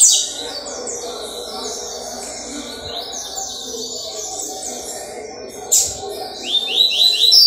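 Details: Double-collared seedeater singing on Wednesday, 4 October 2023: a fast, continuous run of high whistled and trilled notes, with sliding phrases and a sharp rising burst near the end, over a low background hum.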